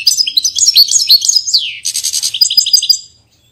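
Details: Portuguese goldfinch singing a rapid twittering phrase of high chirps and trills, a downward slurred note at mid-phrase, then a buzzy rattling trill with liquid notes; clean recording without background sounds.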